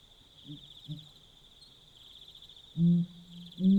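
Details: Pel's fishing owl calling at night in Botswana: two soft deep hoots, then two loud, booming low hoots near the end, one trailing into a held low tone, over a steady high chorus of crickets.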